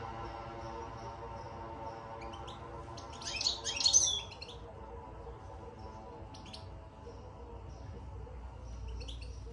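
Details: Caged European goldfinch, just moved into its cage, delivers one loud tangled burst of bitbita twittering midway, then only a few faint chirps against a quiet humming background.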